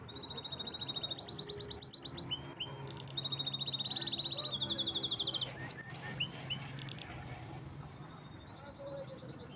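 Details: Canary song: repeated high pulsing trills in long phrases, a burst of rapid notes near the middle, then quieter chips and a short whistled phrase over low background hum.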